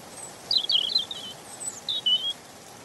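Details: European robin phrase of squeaky, twisting high notes, followed after a pause by a couple of thin drawn-out whistles dropping slightly in pitch.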